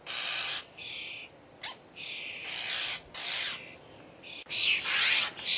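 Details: Hungry common starling young at feeding time give loud, scratchy, hissing begging calls in long ragged bursts, broken by brief pauses and a sharp squeak or two.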